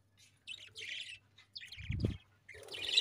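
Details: Budgies, kept as pets, give scattered short high chirps in brief bursts separated by pauses, with one low thump partway through.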